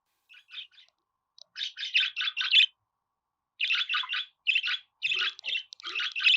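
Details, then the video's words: Budgerigar chattering in fast strings of buzzy chirps, a pause, then more sustained warbled chatter. "Muhabbet Kuşu Sesi"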